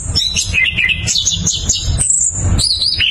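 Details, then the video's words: Dense, rapid song of an orange-headed thrush in 'ngeroll' style: chattering whistled notes wavering up and down, then sustained shrill high tones, with constant low thudding noise below. "ANIS KEMBANG GACOR NGEROLL POWER JERNIH"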